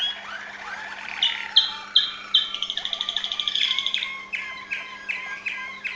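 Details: Waterslager Malinois canary, Serbia: low chuckling notes, then a few loud separate whistles leading into a fast, even trill, ending with spaced, clear, water-like notes about twice a second.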